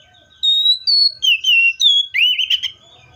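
Seychelles magpie-robin song: a loud run of clear, sweet whistled phrases, some held level and some sliding down, ending in a richer warbled note.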